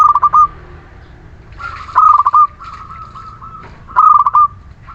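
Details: Local Muria zebra dove in constant song, played as a lure for doves that will not sing. Stuttering coo phrases with drawn-out endings follow one another closely, several overlapping, against a soft low hum.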